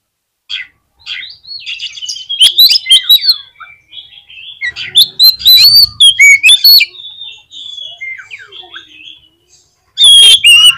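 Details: Oriental magpie-robin singing to stir up rival magpie-robins, a varied rich stream of whistled notes mixed with rapid scratchy bursts, quieter warbling in the middle and a loud harsh burst at the close.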